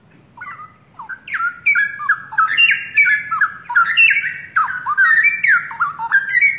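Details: Young pair of straw-headed bulbuls (cucak rowo), forest-caught, long kept caged by owner, singing actively: rich, loud whistled phrases with bubbling, sliding notes, overlapping and repeated in quick bursts, with faint low background hum.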